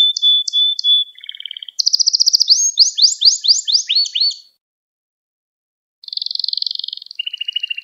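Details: Canary song meant to train young canaries: a held whistle with short notes, a low trill, a rush of rapid sweeping notes, silence, then a buzzy rolling trill dropping lower.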